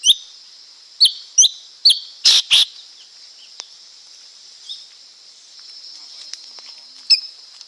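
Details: Lesser green leafbird: a run of sharp, slurred chirps and two harsh buzzy notes in the first three seconds, then near silence with one late chirp, over a constant high hiss.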